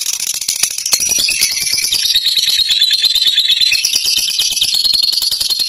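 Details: Fighter lovebird delivering long ngekek song, a harsh, fast, rattling chatter of very high notes running continuously, with gentle rises and falls in pitch.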